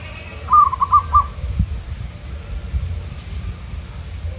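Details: Local zebra dove hung out in the wild for training, answering wild doves: a short run of four quick cooing notes at a steady mid pitch, then a low rumble of wind or traffic.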